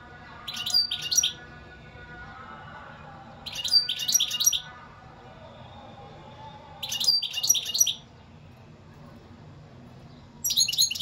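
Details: European goldfinch singing: four short, high tinkling bursts of rapid twittering notes, each about a second long, repeated roughly every three seconds over a quiet background with a faint low hum.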